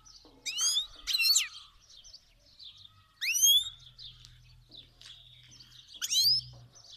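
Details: Iranian Himalayan goldfinch, a cross with the black-headed form, from Fars province, singing: loud rising harmonic sweeps and twittering notes in irregular bursts every one to three seconds, with a low hum beneath.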